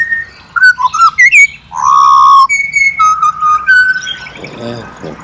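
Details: Pied butcherbird song from Australia, a loud serenade of rich, pure whistled notes: short rising slurs give way to a long, full, steady tone, then level whistles stepping upward, with a brief human voice near the end.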